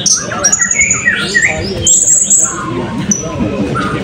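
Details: At a 2024 open songbird singing and style competition in Balingian, a blue-crowned hanging parrot gives high, thin squeaky notes and short shrill trills, with other small birds chirping and people's voices in the background.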